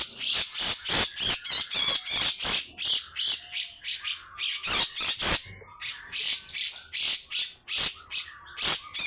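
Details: Grey-cheeked bulbul giving long harsh rasping besetan calls: rough broadband bursts repeated about three per second, with scattered thin whistled notes between them.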